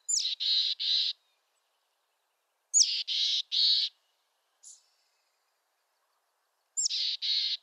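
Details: Three chick-a-dee phrases from a mountain chickadee, western North America, roughly every three seconds; each opens with thin high chips and ends in two harsh, buzzy dee notes, with a brief soft note between.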